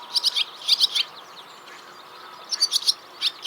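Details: Barn swallow (Hirundo rustica) on a countryside walk past farm buildings and wheat and barley fields in West Sussex, flying low over fields; fast twittering, chattering song in quick bursts of high notes, two clusters with a brief pause.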